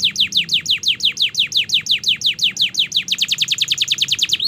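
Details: Canary master song to coax young canaries into singing: a steady series of sharp descending whistled notes about four per second, speeding into a faster trill near the end.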